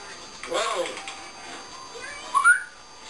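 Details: A pet African grey parrot, left alone when its owner leaves the room, gives a short, wavering, speech-like phrase and then, after a pause, a bright rising whistle. It is known to burp and talk. Grey parrot.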